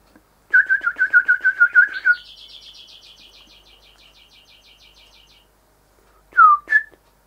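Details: Rufous whistler (Pachycephala rufiventris), a male singing at house windows at this time of year while admiring his reflection: about ten rich, evenly repeated whistles, then a high, fast trill that fades, and two slurred whistled notes.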